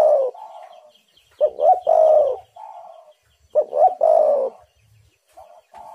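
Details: Spotted dove calling as a lure to make wild doves sing; low, mellow cooing phrases repeated about every two seconds, each a quick pair of notes followed by a longer drawn-out coo, with fainter coos between.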